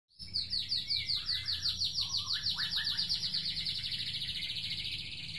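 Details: Caged white-rumped shama after moulting, kept in sunbathing and training sessions to restore its fighting form. It gives a rapid, steady run of high buzzy notes, about three per second, with a few lower whistled notes underneath early on.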